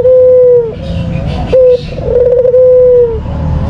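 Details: Kept white dove giving a lure call: loud, drawn-out coos on a steady pitch, each held up to a second, some with a slight wavering tremor, separated by short low rumbling gaps.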